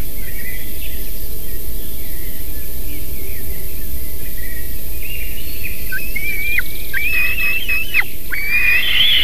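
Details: White-tailed eagle at a nest on 3 July 2020, as a male brings a small fish, gives a quick run of high, thin yelping notes, several ending in a sharp downward flick, over constant low wind rumble.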